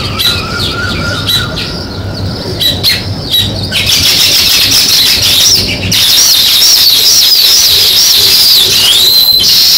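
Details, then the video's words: Sparrows chirp outdoors in quick, harsh, high-pitched bursts, about two a second, over a steady hiss of background noise. "Sparrow Chirping Sounds"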